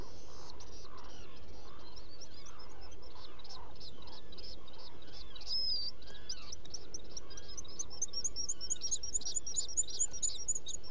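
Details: Black guillemot at night in a nest burrow on Seal Island NWR, Maine, recorded by burrow camera, July 2018, around 2 am: rapid series of thin, high chirps repeated about twice a second, growing louder near the end, over steady low rumble.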